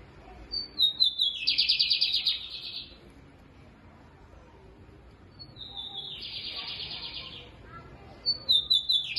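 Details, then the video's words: Lined seedeater singing loud and deep on 22 April, just after one in the afternoon: two high buzzy phrases, each opening with thin whistles and breaking into a harsh rapid rattle, spaced about five seconds apart, with a third starting at the end. "BIGODINHO CANTANDO ALTO E GROSSO!"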